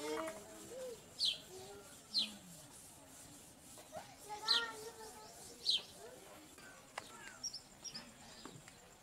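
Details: Purple sunbirds feeding their young: four sharp, thin, high notes that slide downward, spaced a second or two apart, then fainter chips. Low murmuring voices sit in the background.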